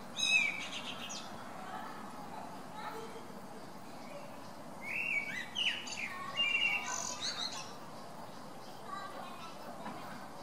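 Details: Blackbird singing on 17 December 2017, a varied song that never repeats: short warbled phrases with a few sharp high notes, heard over a low background rumble.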